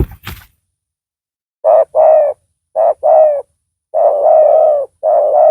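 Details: Spotted dove used to lure a rival bird; a thump of handling noise at the start, then low coo pairs, one stretched into a long rolling note, with faint high chirping behind.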